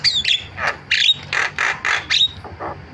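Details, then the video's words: A starling gives repeated rasping, chattering bursts, each about a quarter second long, at a fairly steady pace. Some bursts carry a short sliding whistle. The sound is used as a lure to set quiet starlings calling. "MASTERAN JALAK SUARANYA BIKIN JALAK PADA TERIAK"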